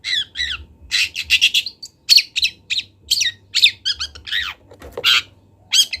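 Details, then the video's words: Caged local long-tailed shrike from Kendal, Indonesia, recorded for training birds: varied mimicking phrases of whistled, rising and falling notes, trills and harsh squawks, with a steady low hum in the background. "MASTERAN CENDET TROTOL BELAJAR BUNYI"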